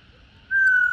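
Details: A female laughingthrush, whose song is played to stimulate male laughingthrushes to sing, gives one clear, sustained whistle that falls slightly, after a faint higher tone at the start.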